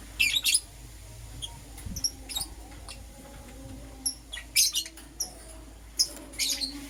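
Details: Lovebirds, a Green Personata and a Yellow Pastel Pied, chirping in the morning: shrill, high squeaky chirps in short bursts, clustered at the start, around four and a half seconds and near the end, with quiet low hum between.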